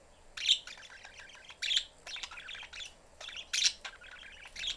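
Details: Family of caged budgies with a busy mother and an attention-seeking youngster; bright chirps repeated about every second amid soft continuous warbling chatter.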